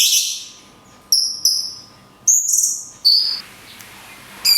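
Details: Cungkok song from a training master in the long 'kunti' style: a noisy burst, then short high clipped whistles, a wavering level whistle and a falling whistle, separated by quiet gaps.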